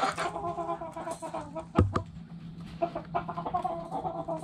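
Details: Backyard hens in the coop give scattered clucks and a couple of sharp louder notes amid a low steady hum.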